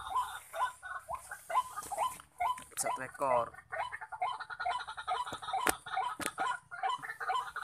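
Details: White-breasted waterhen calling in the wild at a site where a trapper uses a decoy waterhen and many males call all around: guttural, rhythmic croaking notes repeated about twice a second, with a man's voice and a brief click partway through.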